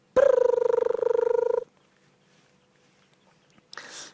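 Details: A crested barbet calls in the background during a July 14 sunset safari drive in the Sabi Sand, South Africa, as antelope cross a road: a rapid, buzzy, purring trill of about a second and a half, then quiet and a brief rustle.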